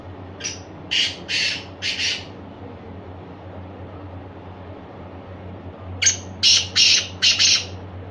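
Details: Black francolin giving two harsh, grating phrases of about four rasping notes each, separated by several seconds. A steady low hum runs underneath.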